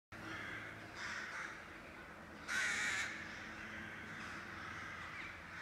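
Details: Crows from a colony over city rooftops near Blücherplatz in Kiel, Germany: hoarse caws, one loud and nearer near the middle, with fainter calls around it over a steady urban hum.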